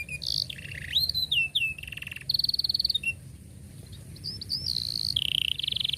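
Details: Canary song for teaching young canaries: varied whistled slurs, a fast buzzy trill, quick pulsed rolls and clear sustained whistles, quieter than surrounding passages, with a low hum in the background.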